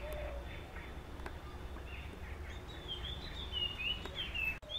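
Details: In the morning, a puff-throated babbler gives a few short, clear whistled notes late in the sequence, over a steady low rumble and a thin constant insect-like hum.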